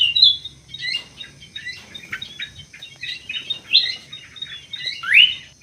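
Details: Greater green leafbird in an aviary, producing scattered high chirps and short whistled fragments, then a sharp rising slur at the close; quieter, more broken delivery with soft low background noise.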